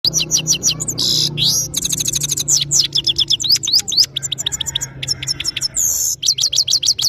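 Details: European goldfinch, a bird of Parachinar, in powerful song: rapid twittering phrases of high, quickly repeated chirps and sweeping notes, with brief buzzy bursts, delivered almost without pause.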